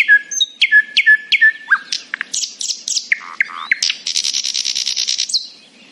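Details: Nightingale in full morning song, sounding happy: steady repeated clear whistled notes, then tumbling slurred phrases in lower and higher pitches, ending in a long quick rattling trill.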